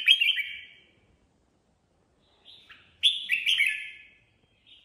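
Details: Red-whiskered bulbul singing at will: a warbled phrase, a long silence, soft whistles, then a louder bubbling double phrase and a faint final note.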